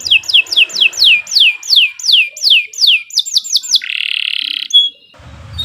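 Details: Canary masteran song: about a dozen loud downward-sweeping whistles in rhythmic series, then a rapid buzzy rattle and a brief high note.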